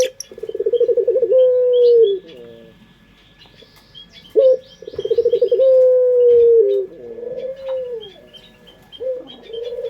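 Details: Indonesian local puter pelung dove sung as a lure: two long phrases, each a rapid throbbing roll flowing into a sustained low level coo, with short coos between and steady high chirping from other birds.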